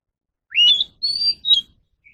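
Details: Caged Oriental magpie-robin in voice training. It delivers three clear whistled phrases: the first rises and then levels, the second is a long, steady high whistle, and the third is short. A faint trailing note follows.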